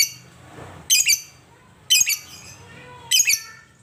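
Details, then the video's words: A lovebird kept as a pet, said to sing rarely, repeats three grating, high-pitched chirp bursts roughly once a second, with quiet low hum in between. "Love bird yang jarang bunyi agar Gacor"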